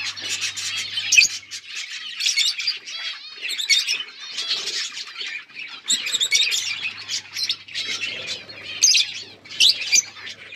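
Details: Mating lovebirds give continuous shrill chirping and scratchy twittering, rapid overlapping notes that barely pause across the whole stretch.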